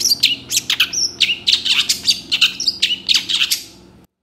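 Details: Continuous, energetic long-tailed shrike singing, used as a training recording for other birds: quick repeated chirps and downslurred notes, about four a second, with a faint hum underneath.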